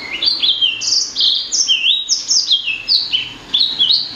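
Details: Bright twittering song from a blacksang, bred from blackthroat and sanger, made of high sliding whistles and stepped notes in quick succession, steady and unbroken.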